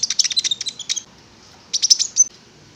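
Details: Konin (prinia) singing as a lure to prompt another bird to sing: two bursts of quick, high, ticking notes with thin sharp whistles, separated by a short pause.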